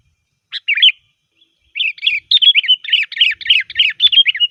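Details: Sooty-headed bulbul song as a lure for bulbuls: a brief two-note opening, then a pause and a fast, chattering run of bubbly warbled notes lasting over two seconds, in clean quiet surroundings.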